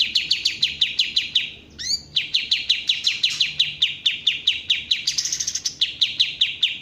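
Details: Kapas tembak bulbul in a long, fast series of sharp downslurred chipping notes, about four per second, briefly broken by a rising slurred phrase and later a higher buzzy stretch, then resuming steadily.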